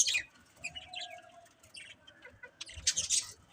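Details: Colourful pet budgerigars chirping: short, scratchy high chirps burst at the start and again near the end, with a faint steady low tone running through the quieter middle.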